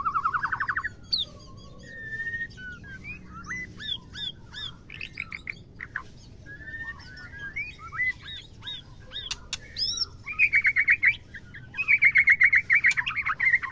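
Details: Female white-rumped shama calling to arouse males for mating: opens with a buzzy note, then varied whistles, upsweeps and chattering phrases, ending with two bursts of fast, loud, rapidly repeated trilled notes.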